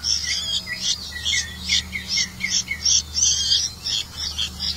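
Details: Red-vented bulbul feeding crickets to its young: rapid series of short high chirps, about three per second, over lower sliding notes, with a steady low hum beneath.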